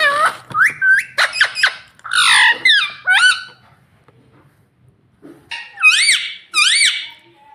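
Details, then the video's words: Green ringneck parakeet calling: a quick string of sharp, upswept screeches and harsh squawks, a brief silence, then two loud rising-falling whistled screams. "original Sound Ringneck Green"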